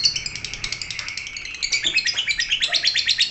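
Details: Lovebird giving busy, irregular high chirps and squeaks in quick bursts, the notes varying in pitch and rising in loudness toward the close.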